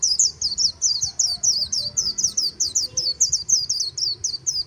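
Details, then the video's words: White-eye "líu" song from the Kỳ Cùng riverside: a dense, nonstop flow of very high, sweet twittering notes, each quickly rising and dropping, delivered at a brisk, even pace. "VÀNH KHUYÊN HÓT LÍU/ 10 PHÚT CHIM VÀNH KHUYÊN LÍU BÊN BỜ SÔNG KỲ CÙNG RẤT HAY/ KÍCH KHUYÊN LÍU CHOÈ"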